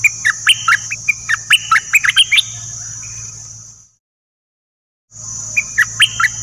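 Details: Dok taeng bird song, used to train and excite young birds: bright, varied chirps and short whistles over a steady high hiss and low hum, broken by a brief silence.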